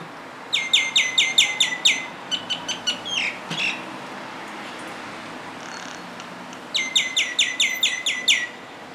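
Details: Common myna song: rapid bursts of sharp repeated clicking notes, about seven in quick succession, followed by softer chatters and a quiet gap, then another fast burst of repeated notes.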